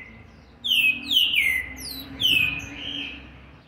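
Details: Seven-month, 20-day-old green-winged saltator, 13/11/2020: three loud, ringing, downslurred whistles in quick succession, then a softer trailing whistle, over a faint steady low hum.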